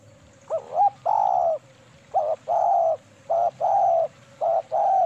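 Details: A female spotted dove, used as a lure call, coos in soft, hollow phrases. Each is a short clipped note followed by a longer, fuller coo, repeated three times over low background hum.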